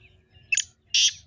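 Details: Black francolin (kala teetar) in an excited, spirited call, used to get pet partridges calling: two loud, harsh, grating bursts, the first short and broken, the second longer and steady, over low background hum.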